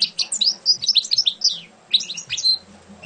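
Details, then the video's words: European goldfinch, a champion bird, delivers rapid high twittering notes with bright slurred whistles and chips, then a short gap and a second burst ending in a sustained tinkling note, a faint low hum beneath. "Şampiyon Saka Kuşu"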